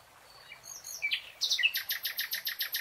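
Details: Forest nightingale song: a few slurred whistles lead into a series of loud, rapidly repeated harsh notes, about eight in a second and a half.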